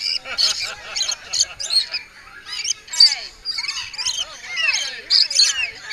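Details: Lorikeets squabble while being fed by a woman trying to keep the peace, in a dense chorus of harsh, high screeches and shrill chatter, with rising and falling squeals overlapping almost without pause.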